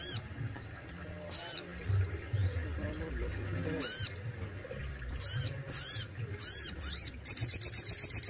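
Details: Kept Crested Jay singing in its besetan and tembakan style: loud, harsh arched notes in scattered bursts, closing with a fast rattling series, over low steady background hum.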